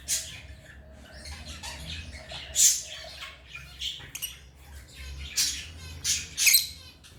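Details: African lovebirds chirping in a series of sharp, high, buzzy squawks and chirps, loudest bursts near the middle and end, over a low steady background hum.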